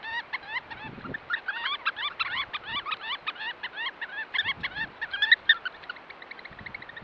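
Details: A roosting flock of Eurasian oystercatchers pipes loudly, with shrill, ringing 'kleep' notes overlapping in a busy, continuous chorus.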